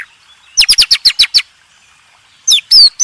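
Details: White-rumped shama master song for contest birds: a quick series of seven sharp, high, descending chirps, then a pause and a few loud whistled swoops.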